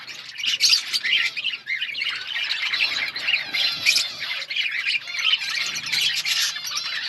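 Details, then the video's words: Budgerigars chirping in an outdoor colony, a loud tangle of scratchy warbles, squawky chirps and quick trills from many birds, continuous throughout. "Budgies chirping sounds in outdoor budgies colony"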